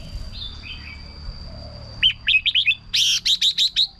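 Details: Red-whiskered bulbul singing, a recording meant to rouse other birds or act as a decoy: a soft lead-in, then a fast series of about ten sharp, lively chirped notes with a faint constant whine behind.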